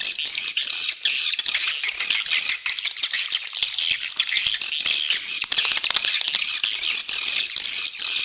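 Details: Swiftlet calling audio used to draw swiftlets in and grow the colony. Constant high-pitched rasping chatter, thick and unbroken, flickering with rapid clicks and brief dips in loudness throughout.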